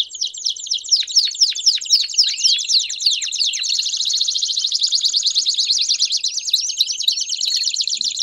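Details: Belgian canaries singing together: a cascade of sharp falling and rising whistled notes repeated quickly, merging into a continuous high chattering trill with overlapping voices.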